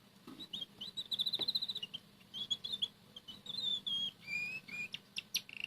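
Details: A red canary quietly singing while it eats boiled egg yolk one morning indoors; continuous soft warbling with fast pulsed trills, clear whistled slides and a few sharp chips over a low hum.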